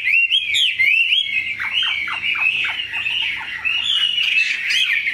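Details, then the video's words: Large, pure-bred Chinese hwamei in a cage, praised for a very fine voice, pours out looping clear whistles, then a series of quick downward-slurred notes and renewed rising phrases. "Mi họa thuần, bộ to, chất giọng cực hay"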